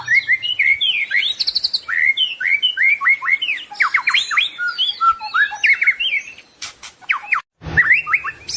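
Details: Full-isian song of a white-rumped shama: a dense, rapid stream of short sharp whistles, upward and downward slurs and chirps with almost no pauses, a few clicks, then a sudden cut and the rich phrases resuming.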